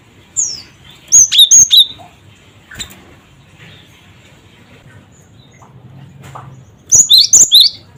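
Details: Provoking 'cret cret wucit' call of the gelatik batu, or cinereous tit: two bursts of four or five quick whistles alternating between two pitches, separated by several seconds of near silence.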